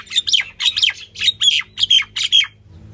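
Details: Female common myna, known as Indian myna, calling in a string of scratchy, chattering double squawks, about seven bursts, tapering off into a short silence at the end.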